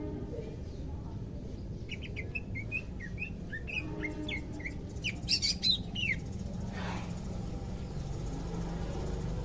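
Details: Greater green leafbird kept as a pet, second day of care and beginning to sing: a run of short whistled, upslurred notes, louder sharp chirps near the middle, then a brief rustle and low background hum.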